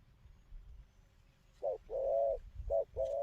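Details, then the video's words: Wild-caught spotted dove cooing after a quiet start with low rumbling background; a short coo then a long drawn coo, repeated twice near the end. "Thổ tơ bài hay gù tốt"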